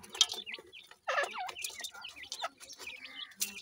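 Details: Grey francolin chicks calling while playing: short, high, bright peeping notes that sweep up and down, given in quick irregular bursts with brief pauses and overlapping voices.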